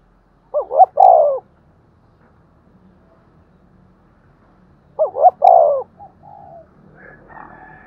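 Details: Spotted dove thúc gù cooing, a style used to lure doves: two loud phrases of two brief notes and a long descending coo, several seconds apart, the second followed by softer murmurs and a faint higher note.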